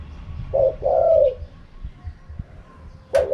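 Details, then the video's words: One full spotted dove phrase in 'kharom pa' wild style, a short double note and a drawn-out falling coo, then a pause with faint knocks before the next phrase begins with a sharp click. "เสียงนกเขาใหญ่ คารมป่า 100"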